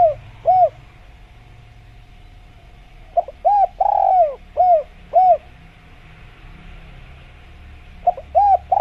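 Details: Spotted dove (tekukur) cooing in jungle surroundings: two soft hooting notes, a silent gap, then a rolling series of mellow coos, repeated again at the end over a faint constant hum.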